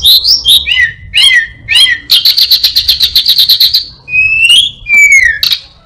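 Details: Orange-headed thrush imitating other birds: looping wavering whistles, then a fast dry trill of about a dozen ticks, closing with long descending whistled slurs; clear and loud against a quiet background.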